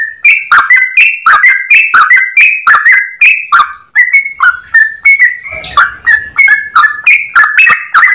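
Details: Trucukan, the yellow-vented bulbul, in an extended clear-toned rapid song: a fast chain of short warbled notes, some rising, some dropping, rolling on without pause, with a brief low rumble near the middle.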